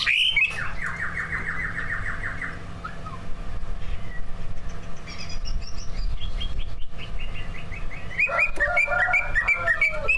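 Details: Greater green leafbird song from two caged prize birds, with mimicked fill: a rapid series of repeated clipped notes, then a pause, high thin whistles, and a busy run of sharp chips near the end.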